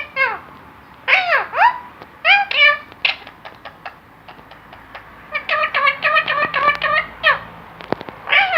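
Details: Talking parrot, saying Allah Hoo and many more words, chattering almost continuously in rapid clusters of short voiced syllables and arching phrases, with a few sharp clicks among them.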